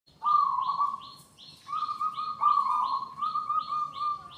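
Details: Local Indonesian zebra dove, called antique, singing the suguh tamu or penyambut tamu style, meaning welcoming guests: a steady, vibrating, trilled coo held in two long phrases, with quick high chirps repeated at a regular pace above it.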